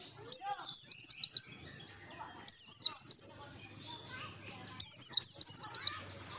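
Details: Pleci (white-eye) singing vigorously in the ngalas style for luring: three bursts of fast, high, sweeping whistled notes about every two seconds, each over a second long, with faint chirps between.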